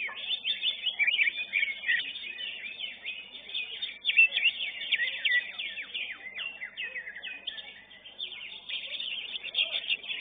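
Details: Greater green leafbird in a cage at a singing contest, first-place winner of class 11, pouring out a long unbroken torrent of high chattering notes, quick downslurred whistles and buzzy trills, varying in loudness throughout.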